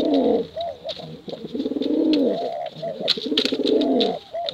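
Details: Male and female pigeons coo loudly in the 'bekuran' competition style, in long, deep, bubbling phrases with arched opening notes, nearly unbroken, and sharp clicks scattered above.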